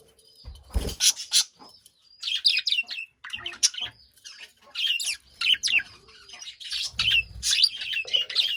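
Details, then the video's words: Budgerigars in a cage chattering busily: rapid, scratchy high chirps and warbles in dense bursts with brief pauses, plus a few low thumps. "Budgie Chirping Noises in Cage"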